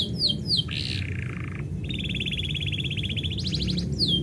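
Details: Canary singing as the owner prepares to leave: a few downward sweeps, a low rattling trill, then a long rolled trill that jumps higher before sweeping notes return.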